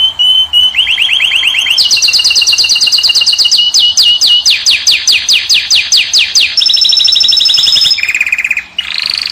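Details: Moroccan European goldfinch singing in a cage to attract the female: loud, continuous rolling trills of quick repeated notes that change pitch several times, ending in short buzzy phrases.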